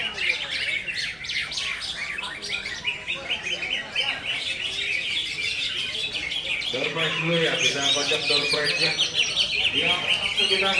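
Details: Konslet-style song of a greater green leafbird: hurried, continuous high twittering and chattering trills. Lower tonal notes join in the second half, and faint background voices are present.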